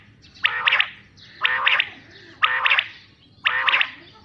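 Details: Quail calling: harsh, raspy double-noted calls repeated regularly about once a second, four times in a row, over a faint low background hum.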